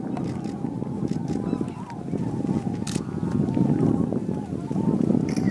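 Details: Greater white-fronted geese flocking into their evening roost at Miyajimanuma in Bibai, Japan, 11 April 2016, about 15,000 birds; many overlapping yelping honks blend into a steady wall of sound with a heavy low rumble.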